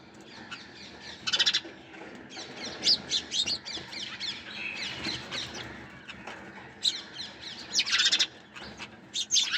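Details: Busy, overlapping high chirps and short trills from sparrows, with several birds calling at once, sharp chips, and brief pulsed bursts scattered throughout.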